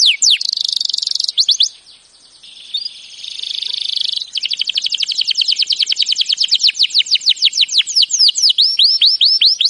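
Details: Canary training song: a dense buzzy trill and a few sweeping notes, then a short pause and a softer hissing tour. A long run of rapid clicking notes follows and ends in looping slurred whistles.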